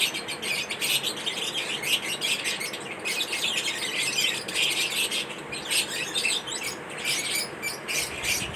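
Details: Several pet lovebirds chirp through their daily routine, mixing rapid high tweets with squeaky, squealing notes in a constant, excited chorus.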